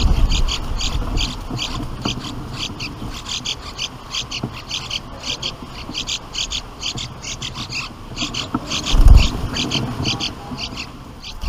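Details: Young bulbuls calling from the nest as the parents deliver food, a loud fast string of sharp high chirps repeated several times a second, with a thump near the end.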